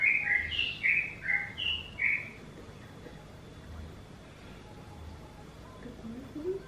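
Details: Oriental magpie-robin, a bird whose voice is said to sound like a kitten: a quick run of six short slurred whistled notes in the first two seconds, then quiet with faint low rising sounds.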